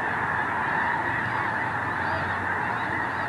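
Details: Dawn at Squaw Creek National Wildlife Refuge, Missouri: a concentrated flock of geese, awake under overcast skies before flying out to feed, honking continuously in a thick, constant clamour with no pauses.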